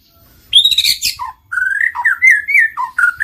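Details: White-rumped shama song used to trigger singing: a harsh, high chattering burst, then a series of clear, rising and falling whistled notes delivered quickly one after another.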